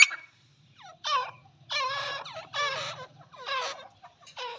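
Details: Female teetar, a partridge, gives spaced, wavering squeals that bend downward, in bursts of about half a second separated by short pauses, over a faint low hum.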